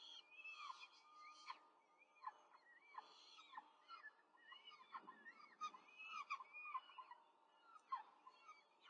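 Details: Rome peregrine falcon nest, 5 May 2023, an adult feeding four chicks quickly: repeated wheezy, looping calls rising and falling, with bursts of shrill overlapping squeals and a brief scratchy rustle midway.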